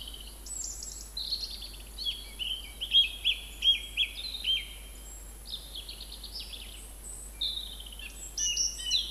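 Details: Song thrush singing at Montbéliard, France, filmed in late February and early March 2024: varied high phrases, whistled and chattering notes, some repeated several times, with pauses between bursts, over a steady background hiss.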